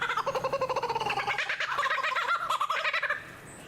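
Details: Superb lyrebird in forest, an expert mimic, imitating a kookaburra: a rapid, rolling cackle of pulsed, laughing notes that rise and fall for about three seconds before stopping.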